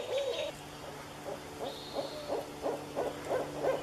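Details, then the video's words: A Barred Owl in woodland gives a quick run of low, throaty hoots, roughly three a second, over a faint steady hum. "Barred Owl Calls and Sounds"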